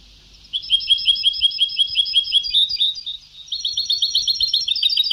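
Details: European goldfinch performing an old Sebta-style song: a steady series of quick two-part chirps repeated several times a second, shifting midway into a faster, denser run of tinkling twitters.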